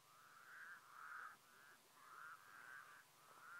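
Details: Trumpeting calls of a White-naped crane, Mongolia, 2015: six clear, ringing notes in quick succession, alternating slightly higher and lower, with a soft low hum behind.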